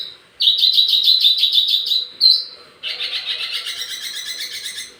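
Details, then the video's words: Wambi mini singing, recorded to lure and train other songbirds: a rapid, sharp, trilling run of high notes, a short pause, then a buzzy chattering stretch. "wambi mini burung pancingan sekaligus masteran buat tledekan anda"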